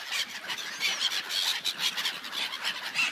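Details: Gulls on an ice-covered lake, many birds crying at once: harsh, high squealing calls overlap continuously in a dense chorus, with no music or talking.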